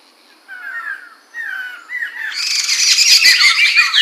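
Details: Singing Chinese hwamei, Mantel or Medan form, 2021, opens with two or three slurred falling whistles and then breaks into a loud, dense, harsh rattling chatter that carries to the end.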